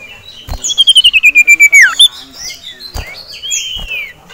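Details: Caged male sirtu, aroused by a rival and a female, delivers a rapid loud pulsed trill descending in pitch, followed by softer high chirps and slurred notes; knocks in between.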